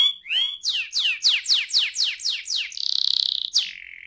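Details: Rolling 'ngerol' canary song, meant as a lure to set other canaries singing: a rising whistle, about a dozen steep downslurred notes, a fast buzzy rattle, then a steady lower whistled tone.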